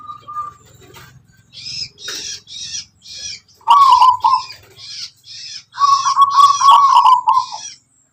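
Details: Local wild zebra dove of the Tuban strain, known for its distinctive rhythmic song. A short steady note, then two rolling, bubbling coo phrases, the second longer, amid constant high chirping from other birds.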